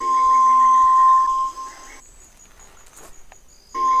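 A White-throated Tinamou gives a long, steady, pure whistle held on one low pitch for about a second and a half, then a pause before the next whistle begins.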